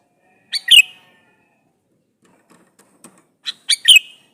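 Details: Male sooty-headed bulbul calling a female, meant as a lure to make other bulbuls respond; two short, bright, bubbly double-note phrases about three seconds apart, separated by near silence.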